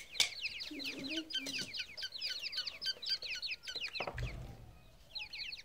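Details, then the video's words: Grey francolin chicks peeping in a busy, continuous run of high falling notes, a few low clucks mixed in, then a heavy thud and a short pause before the peeping resumes. "teetar k bacche ki awaaz"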